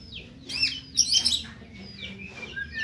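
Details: White-rumped shama, Medan type, with high scratchy chattering notes and thin whistles in a brief burst, over a low background hum.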